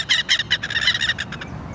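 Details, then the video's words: Southern lapwing (quero-quero) in a botanical garden giving harsh, scratchy notes repeated about five times a second, fading after a second and a half, with low background rumble. "quero quero"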